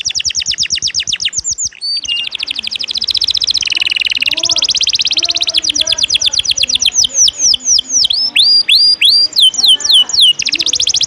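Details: Canary in the 'ngejos' singing style, used as tutor song to train other songbirds: loud, rapid, high trills, then sweeping whistled notes that repeat several times a second with almost no pauses.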